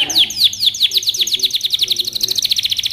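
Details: Canary training song: rapid series of downward-sweeping whistled notes, repeated about six to eight per second, gradually quickening into a fast trill.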